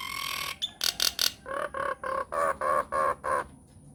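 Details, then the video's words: Myna lure recording, played so that other mynas of any kind will reply: a few sharp squawks, then a steady series of harsh, nasal, buzzy calls repeated about three times a second, over a faint constant high tone. "PANCINGAN / MASTERAN SAKTI UNTUK SEMUA JENIS JALAK, JALAK APA SAJA AKAN NYAUT | MYNAH BIRD"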